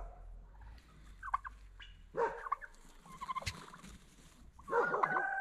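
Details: Domestic turkeys sounding the alarm on hearing noises in the forest: short rough calls around 1.3 and 3.4 seconds, then louder harsh, harmonic-rich bursts near 2.2 seconds and a long raucous outburst from 4.7 seconds onward.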